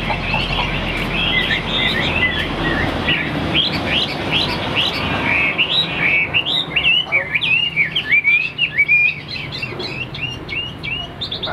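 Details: Caged Chinese hwamei, described as tame and a good singer, pouring out a long varied song of rich slurred whistles, rising and falling loops and quick repeated phrases, with background hiss and low murmurs.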